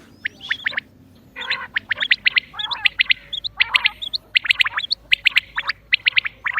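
Common quail calling: sharp, liquid notes in quick triplets, repeated over and over, with some harsher squawky notes mixed in.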